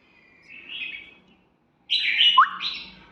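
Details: Pet red-whiskered bulbul giving a soft warbled phrase, then after a short pause a louder rich, whistled phrase with a quick rising note.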